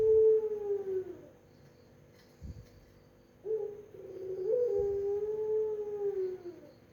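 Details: Pelung-type Barbary dove coo: a falling hum tail at the start, a pause, then a fresh phrase of a brief note and a long, level, mellow drawn-out coo.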